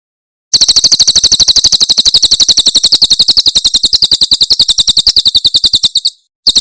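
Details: Tembakan Cililin, the Javan prinia, in a cage-bird tutor recording: a long, even, machine-gun series of high, sharp chirps lasting over five seconds, with a brief pause and restart.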